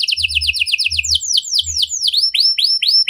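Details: Canary with a luxurious ornamented song: a quick run of short downward notes shifting into longer swooping whistles repeated several times a second, with low thumps in the background.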